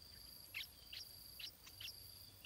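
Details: Stripe-throated bulbul chick in its nest, fed by its parents: short, high, sharp chirps repeated about every half second over a steady, high insect drone.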